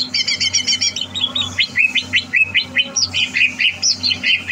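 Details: Greater green leafbird held as a competition bird, recorded 30 November 2022, giving a fast buzzy trill, then a string of sharp repeated chirps and scattered high whistles at a lively pace over a low hum.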